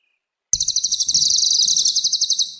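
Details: Cililin bird singing vigorously, a recording used to tutor young cage birds: after a short silence, one long, high, rapid trill of pulses runs steadily for about two seconds, with faint low rumbling underneath.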